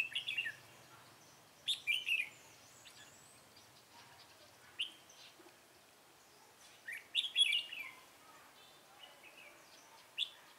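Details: Red-whiskered bulbul during decoy trapping, 24 March 2018; scattered short whistled phrases, clustered in a few bursts with long gaps between, against faint background noise.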